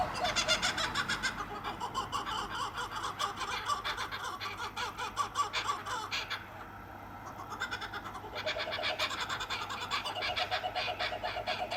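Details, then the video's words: Two kookaburras at night by a street: raucous rhythmic cackling chorus that rises and falls, briefly fades, then builds again with rapid repeated pulses over low background hum. "Two Kookaburras Makes A Noise In The Background"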